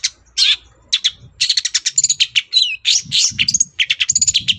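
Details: Long-tailed shrike singing in the morning to provoke other birds into answering, a lively jumble of scratchy chatter, sweeping slurred whistles and quick repeated high chips, with faint low background noise.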